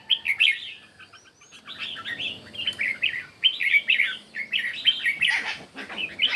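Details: Red-whiskered bulbul in morning competition song, opening with a bright warble, a short lull of soft notes, then a dense stream of jaunty whistled phrases.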